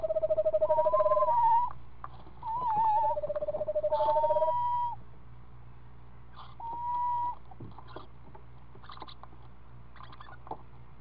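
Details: Screech owl at the nest with its 7-day-old owlet gives soft, tremulous trills: a steady low pulsed trill alternating with higher wavering whinnies, several in the first five seconds, one more near seven seconds.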